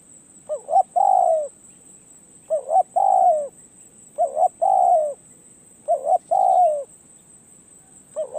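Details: Decoy spotted dove at a perch repeats a regular phrase about every two seconds: two quick short coos rising, then one longer mellow, downward-sliding coo; steady high-pitched electrical tone throughout.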